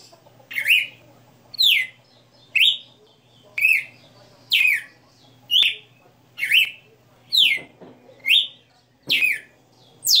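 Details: {'c': "Red-cowled cardinal, locally galo-de-campina, singing '60 notas' live in captivity: ten evenly spaced, bright downswept whistles over ten seconds above a low steady hum."}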